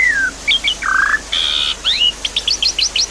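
A Javan pied starling sings a quick, varied string of slurred whistles, a harsh buzzy burst and rapid repeated chip-like notes, all high-pitched and irregular.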